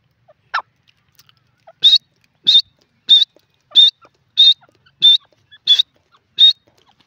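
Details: Male grey francolin repeating a piercing, high-pitched note about every 0.65 seconds, eight times in steady rhythm, after a brief rasping sound at the start; quiet background with faint clicks.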